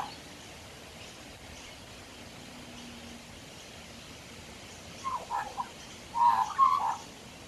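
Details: Male magpie, a frequent visitor sitting on a back deck, is quiet for about five seconds, then gives a few short notes and a brief warbled phrase.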